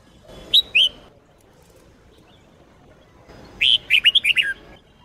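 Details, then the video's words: Red-whiskered bulbul of the Sông Kôn style singing for training: two short sharp whistled notes open, then after a two-second pause comes a full phrase of quick rising and falling whistles ending on a lower note. "chào mào SÔNG KÔN hót cực hay"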